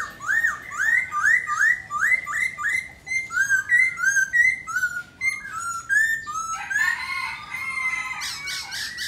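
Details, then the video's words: Black laughingthrush singing with dancing display: quick run of repeated upswept whistled notes about three per second, shifting into varied shorter whistles and a harsh buzzy burst near the end. "Khướu mun hót múa đỉnh"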